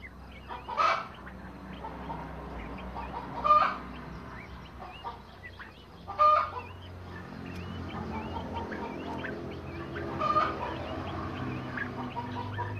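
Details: Captive-bred crested partridge giving four separate harsh, clucking call bursts a few seconds apart, with soft high chirps in the gaps and a low background hum.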